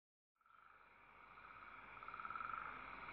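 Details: Owl chicks hissing while their mother feeds them, recorded December 19, 2012; one steady, buzzy, finely pulsed hiss starts abruptly and swells in loudness over about three seconds.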